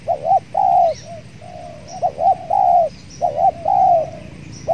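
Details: Tekukur, spotted doves, cooing outdoors during trapping with a decoy, a fierce wild dove nearby: repeated two-part coos followed by drawn-out notes, with thin high chirps of other birds in the background.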